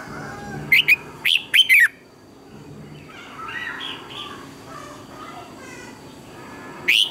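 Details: Red-whiskered bulbul song, recorded to train birds. It opens with three quick, piercing downslurred notes. A stretch of softer, mixed chatter follows, then a final sharp note at the end.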